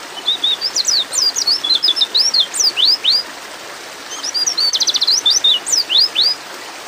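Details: A female white-eye in breeding condition calls for a male in two rapid bursts of high, slurred chirps, the second holding a quick trilled stutter, with a pause between them.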